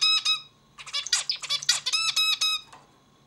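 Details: Zebra finch singing: a burst of nasal, harmonic-rich notes, then a rapid run of buzzy, stacked syllables ending in several evenly spaced nasal honks, in a quiet indoor setting.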